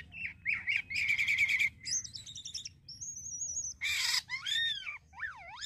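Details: Starling (jalak kapas) singing a lively song with fill-in phrases: chattering notes, a harsh buzzy burst, a high thin whistled line, then looping rising-and-falling whistles, with faint low rumble behind.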